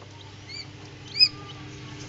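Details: A hatchling Common Quail in an incubator gives two clear, high, arched peeps about half a second apart. A soft steady electrical hum runs underneath.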